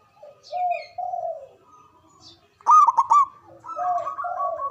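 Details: Zebra dove, a local Javanese bird with a loud, long-breathed voice, used to draw rivals into answering. Soft wavering coos lead into one loud rapid burst of three or four rolling notes, then more drawn-out cooing.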